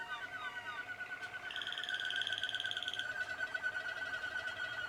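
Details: Young Malinois Waterslager canaries from 2016: a continuous rolling, water-like trill held steady, with a brighter high trill layered in for about a second and a half. It is fairly quiet over a steady background hum.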